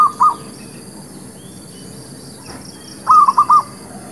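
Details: Zebra dove song used to lure birds for trapping: two short cooing notes at the start, silence, then a quick phrase of four rolling coos later on.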